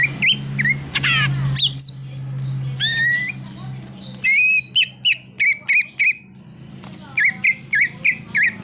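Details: Greater green leafbird in full 'isian' mimicry song, with a car-horn imitation among its repertoire: a jumble of sweeping and falling whistles, then a regular series of short, bright, twisting notes about three per second.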